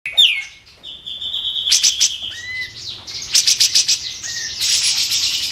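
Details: White-eared bulbul song used as training material for competition songbirds: a high falling whistle, steady whistled notes, then bursts of rapid buzzy trills and short rising whistles, loud and sharp.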